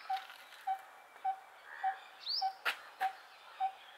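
Coppersmith barbet giving its low, hollow 'tuk' notes, evenly spaced about twice a second. A brief rising whistle and two sharp clicks intrude midway.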